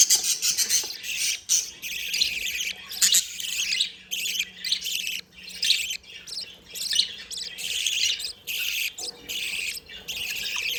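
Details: Happy budgerigars playing fill the air with dense, buzzy warbling chatter, bursts of scratchy notes and chirps coming in quick waves with short pauses.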